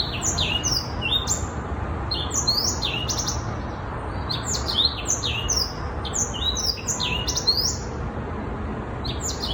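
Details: A young Black-throated Canary, aged six months, pours out rapid bursts of high slurred notes, downward-sweeping whistles strung in quick phrases with brief gaps, against a steady hiss.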